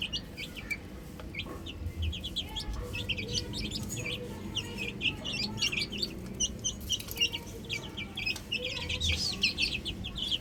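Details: Baby chickens playing on a roof chirp continuously: many thin, high, falling peeps crowd together, with a low hum and faint murmur underneath.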